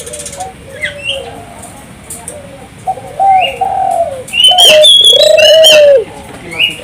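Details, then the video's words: Turtle dove singing 'gacor' style as a lure for local doves. Soft short coos open the recording, then a loud sustained low coo. Higher chirps from other birds overlap throughout. "suara burung puter gacor, merangsang burung puter lokal ikut gacor"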